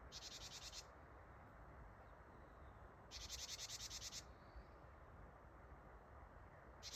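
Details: Japanese tit nearby on 8 December 2025 repeating its buzzy "ji-ji-ji-ji" call meaning "gather": three rasping bursts of rapid pulses, each around a second long, separated by pauses of about two seconds, with faint high whistles between them.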